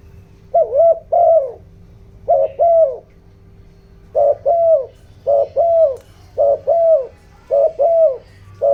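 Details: ["Decoy spotted dove in 'giọng đồng' style giving urgent cooing meant to fire up wild doves and other decoys. Steady series of paired low coos, a short note then a longer falling one, repeated about once a second."]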